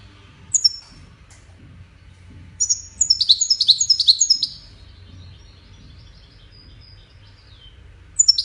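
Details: European goldfinch performing Widani song for chicks to learn from: a lone high note, then a dense, fast, liquid twittering phrase of many notes lasting about two seconds, followed by a soft trailing note and another brief note at the end.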